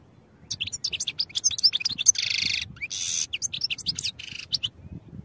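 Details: European goldfinch training song mixing fast high chirps with two drawn-out buzzy, nasal wheezing notes, then more quick twitters, delivered as one lively continuous phrase.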